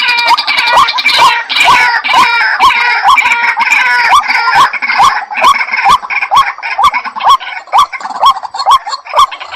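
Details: White-breasted waterhen's rhythmic call, short upward-inflected notes repeating about twice a second, at first buried under a loud, harsh multi-voiced chorus that fades out, leaving the repeated notes clearer in the second half.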